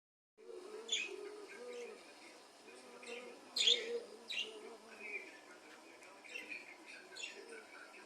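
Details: Several budgerigars warbling together in a continuous chatter of sharp high chirps and squeaks, over repeated soft, wavering lower notes and a steady background hiss.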